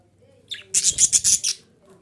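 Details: Female budgerigar call meant to stimulate breeding: a faint rising squeak, then six rapid, harsh, high chirps in a tight row lasting under a second.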